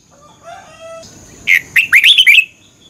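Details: Morning fighting-style song of a red-whiskered bulbul used to provoke other birds: faint soft tonal notes at first, then one loud rapid phrase of looping, upward-sweeping whistled notes lasting about a second.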